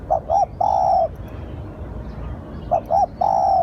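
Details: Spotted dove lure call given twice: two quick rising coos then a drawn-out steady coo, phrases spaced about 2.6 seconds apart.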